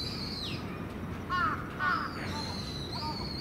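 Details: At dusk on Venus Terrace, where crows roost, two rough caws sound close together amid constant wind noise, with a high sliding whistle before and after.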